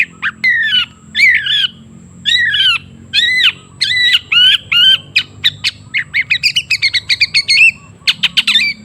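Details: Long-tailed shrike song for stimulating a silent bird: loud, harsh squawking phrases with nasal, bent notes, then a fast series of sharp clipped chips toward the end.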